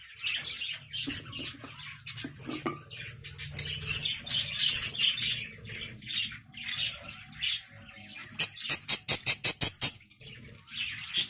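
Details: Budgerigars in a breeding colony, as a nest pot holding tufted chicks is taken down, chatter in high, scratchy chirps, followed by a fast run of about eight sharp, evenly spaced clicks or tweets, with low rumbling handling noise.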